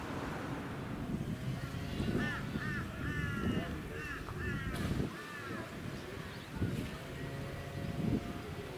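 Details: A Blue-faced Honeyeater in a suburban area of the Sunshine Coast, Queensland, in March 2018, gives a series of harsh, arched, downslurred notes in short bursts, over heavy wind rumble.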